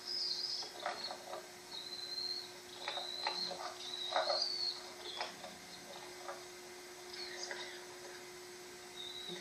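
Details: A cockatiel chick only a few days old begs with raspy, pulsing bursts broken by thin high whistles as its father feeds it.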